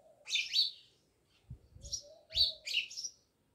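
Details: Many house sparrows living near a village house in Jamnagar, giving short bright chirps of two or three notes, pausing, then chirping again, with faint low thumps and a soft lower tone between calls.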